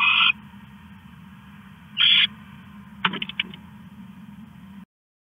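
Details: Owl stashing a rat in the early hours of August 21, 2015, at 1:41 AM. Two short raspy screeches are followed by a burst of rapid clicking and rustling.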